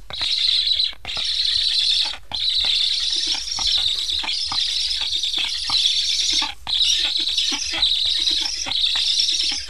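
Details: Hungry Black stork chicks in an Estonian nest, recently fitted with transmitters, beg after parents return but leave without feeding them. Long hoarse hissing bursts, each about a second, broken by brief pauses, with faint clicks underneath.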